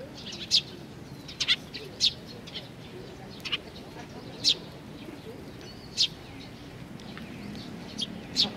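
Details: Juvenile sparrows crowd around food at a shrine in Nakanoshima on 25 May 2020, giving brief sharp chirps at irregular intervals, some in quick pairs, against a steady low hum.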